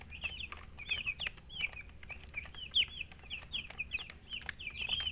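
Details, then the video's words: Chicken chicks giving fast, shrill peeps, packed high chirps in quick succession with one louder note in the middle and a drawn-out gliding tone at the start and end. "Witty MURGI Baby "Chicks Chirping" Sound"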